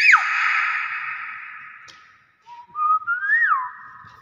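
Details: Nias hill myna in its natural voice: a long loud harsh tone that fades out, then a short series of clear whistles stepping up and swooping down. A person urges it on quietly in the background.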